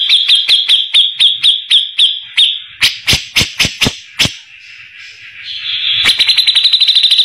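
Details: Grey-cheeked bulbul with a harsh voice, played to train white-rumped shamas: a series of short whistled notes, six loud rasping strokes, a pause, then a quick high buzzing trill.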